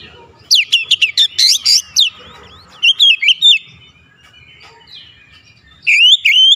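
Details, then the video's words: Oriental magpie-robin (kacer) song, persistent and full of varied phrases: a fast series of sharp clicking notes, a few swooping whistles, a quiet gap, then loud rising whistles at the end. "KICAUAN OBAT KACER SETRES CEPAT SEMBUH DAN GACOR NGOTOT BONGKAR ISIAN"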